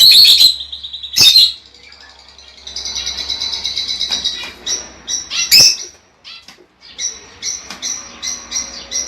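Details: Lovebirds kept for breeding, sound played to encourage breeding: rapid shrill chirps, a sustained buzzy chattering passage, a sharp squawk, then scattered high chips, over a faint low hum.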